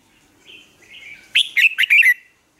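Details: Red-whiskered bulbul morning training song: soft warbled notes build into a loud run of four or five clipped, bright chirps ending in a brief whistled slur.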